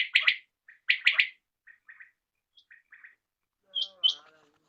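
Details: Common quail calling in the evening, two loud triple-note phrases followed by soft, faint short notes, then two brighter, higher notes at the end.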